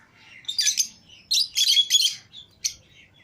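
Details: Pet lovebirds out of the cage together, including a green Fischer's pair and a lutino pair. Grating, high-pitched chirp bursts, several running together, followed by one short sharp note near the end.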